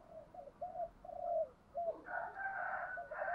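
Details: Spotted dove cooing in the 'thúc gù' style with a low 'giọng thổ' voice. A string of short, mellow coos over background hiss is overlapped by a harsher, brighter sound in the second half.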